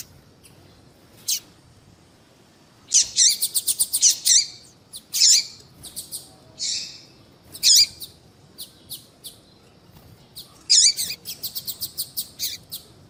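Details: A female double-collared seedeater gives calls that stimulate a male to sing: scattered sharp high notes, then clusters of rapid ticking and squeaky chirps, ending in a fast ticking series.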